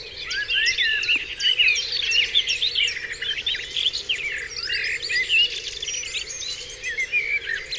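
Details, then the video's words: Dewlands Common at dawn, many songbirds overlapping in a busy chorus of sharp chirps, warbled runs and high whistles, with a low steady drone in the background. "Dawn Chorus"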